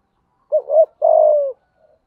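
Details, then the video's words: Spotted dove, deep earthy 'thúc gù' style coo: a single phrase of a short wobbling double hoot and then a long, smooth, slightly falling coo. "Tiếng cu gáy thúc gù giọng thổ hay"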